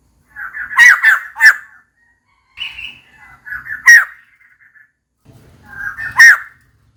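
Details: Female white-crested laughingthrush calling for a mate: three sharp, harsh notes with a breathy lead-in, then a short scratchy phrase and two more strident bursts, spaced about every two to three seconds in a quiet setting.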